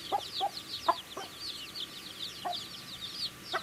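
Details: Young chicks chirping as they eat: softer high, slurred peeps run throughout, broken by a few sharp, louder pecking clicks at irregular moments.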